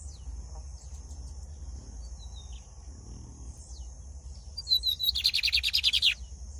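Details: Brown-plumaged Lined seedeater, singing a lot: after several seconds of near-quiet with faint high notes, a loud quick burst of buzzy, rapidly repeated notes runs for about a second.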